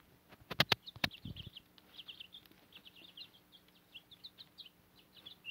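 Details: Backyard chicks with their Cochin mother hen on fodder, nearly grown into adult feathers; a few loud knocks at the start, then a steady run of short, high, falling peeps, several each second.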